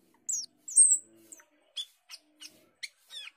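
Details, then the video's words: Asian glossy starling (cucak keling) singing in gacor style. Soft, high, downslurred whistles are followed by a series of short, quiet, sharp chips spaced about a third of a second apart. "Cucak keling gacor teler"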